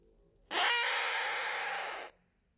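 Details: Hand-raised rainbow lorikeet chick, pulled from the nest after its mother neglected it, begging while a five-year-old female lorikeet feeds it as foster mother: one loud, harsh, rasping call lasting about one and a half seconds.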